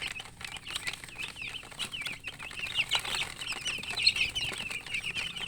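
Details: Coloured baby chickens chirping from thirst for drinking water: a dense chorus of many thin, high, downslurred peeps overlapping continuously, with a low background hum.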